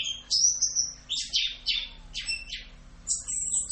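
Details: Orange-headed thrush, full 'Rock'n Roll' tutor song: a drawn-out high whistle, then a series of about five quick downward-sweeping notes, and a final thin high whistle.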